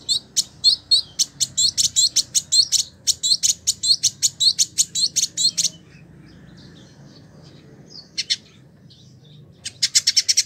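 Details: Village indigobird, a caged tutor bird in Bandung, West Java, Indonesia. A fast run of high chattering notes, about two or three per second, for six seconds, then a pause and a renewed buzzy rattle.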